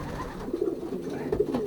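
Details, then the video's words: Racing pigeons cooing in a young birds' loft in Poland during pairing, 2023 season; short throaty rolling coos overlap from several birds, with a murmuring background of other pigeons indoors. "Parowanie gołębnik młodych"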